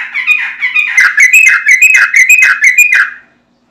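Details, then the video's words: Lure song of a prolific sooty-headed bulbul meant to make other bulbuls respond: busy rolling phrases of warbled, bubbling notes repeated about twice a second, fading out into silence at the end. "Trucukan Bahan, Ombyokan Langsung Nyaut Dengar Suara Trucukan Gacor ini"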